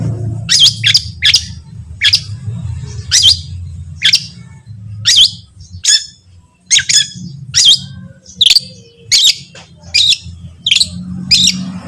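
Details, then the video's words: Long-tailed shrike, a tutor recording used to make other shrikes start singing: harsh, squawking notes with a buzzy, rasping quality, repeated at irregular intervals of roughly one second, over a steady low hum. "cendet lain bakal langsung bunyi || masteran cendet"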